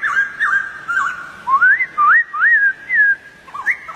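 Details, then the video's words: Wild White-crested Laughingthrush with a short series of smooth, rising whistles, each about half a second long, followed by a few quicker notes. "Poksay jambul liar"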